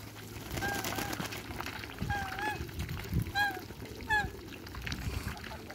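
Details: African geese in a backyard, playing in the water alongside Muscovy ducks: a few short, nasal honks, some doubled and bent in pitch, spaced about a second apart, over splashing water and low background rumble.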